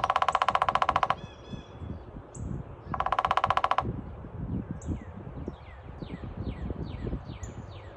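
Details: Red-headed woodpecker giving a machine-gun-like rattle: two loud bursts of rapid, even, buzzy pulses, each about a second long and about two seconds apart, followed by softer chirps and background noise.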